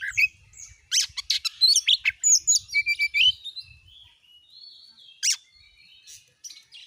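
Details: Oriental magpie-robin singing as a lure to set other magpie-robins singing: a varied phrase of sharp clicks, squeaky notes and slurred whistles, followed by a pause and a few scattered notes.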